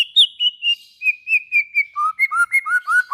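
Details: White-rumped shama song for prompting other shamas to sing: a clear series of short whistled notes, evenly spaced, stepping down in pitch, then alternating low and high whistles.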